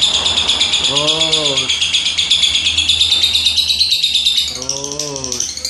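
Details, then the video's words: Juleha lovebird in the 'rem blong' style, delivering a dense, high, continuous trilling chatter pulsed about three times per second, with brief bursts of a man's voice cutting in twice. "LOVE BIRD JULEHA Rem BLONG"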